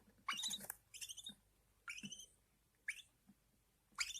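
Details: Pet budgie chicks being fed by their mother, thin, quiet upward-sweeping squeaks in a handful of short bursts over a faint background hum.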